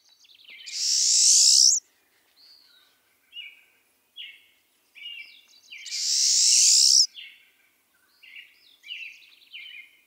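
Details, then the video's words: Pine Siskin, a winter visitor with a strongly ascending call, gives two long, harsh rising buzzes about five seconds apart, with quick high twittering notes between them. "Pine Siskin – Voice of the Wild"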